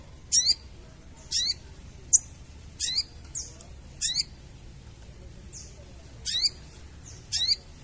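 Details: Sooty-headed bulbul call used as a trapping lure: a steep, high downward-sweeping note repeated roughly every one to one and a half seconds, with a few faint extra chirps in between.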